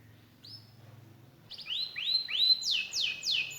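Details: Canary song starting softly after a quiet moment with low background hum, then a series of rising-then-falling whistled notes growing louder and repeated roughly every third of a second.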